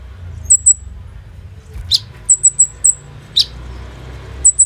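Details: Olive-backed sunbird (kolibri ninja) recorded by phone as a training lure for other birds: sparse, very high, short paired whistles and two sharp descending chips over a quiet low hum.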